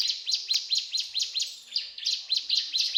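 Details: Mountain tailorbird in full song: rapid, high, thin chirping notes repeated about twice a second in an even, insistent series, each note a sharp downward-sweeping tick, with no other clear sounds.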